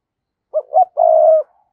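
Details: Decoy spotted dove coo for luring wild doves: two quick throaty notes, then a sustained low hooting coo lasting about half a second, in otherwise quiet surroundings.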